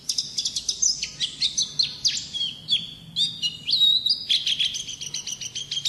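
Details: Wild-type song of an Oriental white-eye (pleci ngalas): a fast, continuous run of high chirps and sharp notes, with short whistled phrases and rapid twittering bursts packed densely together. Faint low hum underneath.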